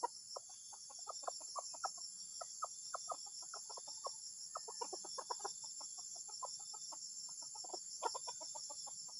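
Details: Strange, unsettling junglefowl calls, with rapid clipped clucks in irregular clusters through the whole stretch and a constant shrill insect hum above.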